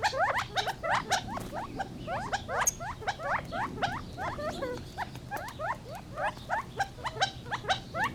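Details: Gambel's quail in a dense stream of quick rising squeaky notes, often stacked in fast runs of two or three, several birds seemingly overlapping, with a faint constant low hum underneath.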